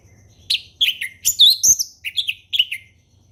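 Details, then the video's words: Orange-headed thrush from the forest singing relaxed ngeplong song: a rich run of high whistled and slurred phrases, several loud notes in quick succession with short gaps, with one sharp click mid-phrase and faint low hum behind. "SUARA HUTAN ANIS MERAH NGEPLONG SANTAI"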